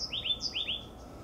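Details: Oak titmouse calling noisily from a high perch: a thin high note, then four quick upslurred notes in two pairs, over a steady low electrical hum.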